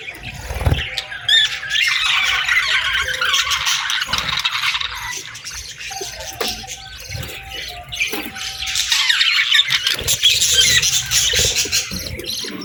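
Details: Several budgerigars calling in the morning, busy squeaky chatter that swells at the start and again toward the end, broken by occasional low knocks and a faint background tone.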